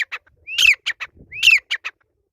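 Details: Grey francolin call: two phrases, each a rising whistle merging into a loud harsh burst and followed by two short grating notes.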